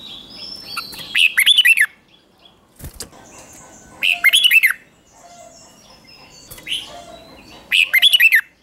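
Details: Morning training song of red-whiskered bulbul used to push birds into intense competitive singing: short, rich warbling phrases of swooping whistled notes repeated roughly every three seconds, with softer chirps and a sharp click between them.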